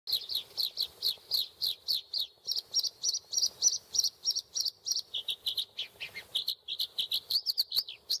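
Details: Bluethroat (Luscinia svecica) singing on 8 June 2017, fast, high, ringing notes about three a second in runs of repeated notes that switch to new buzzy and metallic phrases.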